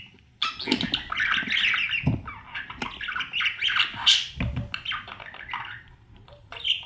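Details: Budgie babies in a breeding nest box being fed by the parents. A dense, continuous stream of raspy, buzzing squawks with scraping and thumping sounds.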